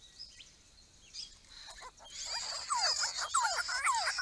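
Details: Grey-crowned babblers from a small group visiting a backyard pond: after a quiet start, a lively run of sharp, downslurred chattering notes, several birds calling together in quick succession.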